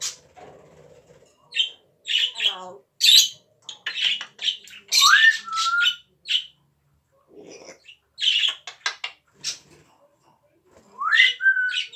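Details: Pet parrot giving a busy run of harsh squawks, clicks and short noisy bursts, with two clear rising whistles that level off, separated by brief pauses.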